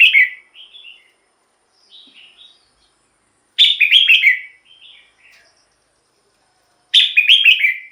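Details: Red-whiskered bulbul song used to lure wild birds or excite other birds: three bright, liquid phrases of quick warbled notes, each about a second long, about every three seconds, with soft short notes between them.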